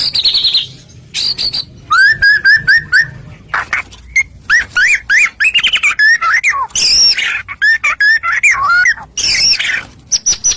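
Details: White-rumped shama song used as a lure to set other shamas singing: a busy mix of high chips, short repeated whistles and looping slurred phrases with harsh bursts, over faint low background noise.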